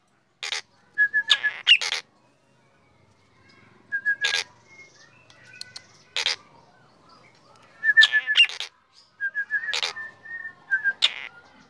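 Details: Morning song of a black drongo, given in bursts of loud sharp chips and quick whistled trills separated by short pauses, with soft whistles between bursts.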